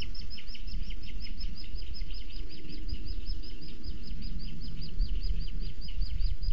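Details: Booted eagle chick on its nest in Sierra de Guadarrama Natural Park, filmed by nest webcam as the female brings a weasel to feed it: thin, high, clipped peeping notes repeated about three times a second over steady low rumbling noise.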